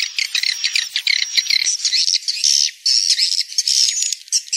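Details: Attraction sound of swiftlets with wing flapping: quick, shrill twittering chirps repeated in dense bursts, separated by short pauses, over a faint continuous high tone.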